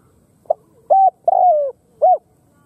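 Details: Khmer spotted dove calling: a short soft note, a flat mid-pitched coo, then a longer coo sliding downward, followed by another short note. Quiet background.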